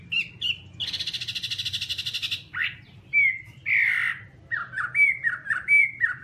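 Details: Chinese hwamei (Garrulax canorus) vocalizing: a harsh, buzzy rattle lasting over a second, then rough slurred notes and a series of short whistled chirps, over a low hum.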